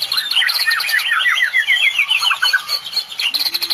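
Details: Medan white-rumped shama delivering tembakan song packed with cililin phrases: fast loud series of sliding whistled notes descending and rising in quick succession, almost three per second, ending with a brief low tone.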